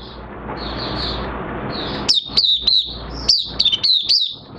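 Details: Caged Oriental white-eye in minor moult, recorded 3 June 2022, singing: after two seconds of steady hiss, quick bright chirps slur down from a high start, in loose bursts of four and five notes.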